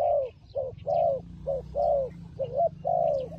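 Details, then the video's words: Turtle dove in a fight, calling with throaty coos, long and short notes alternating about twice a second; distant small birds chirp faintly. "Good Fighting Dove"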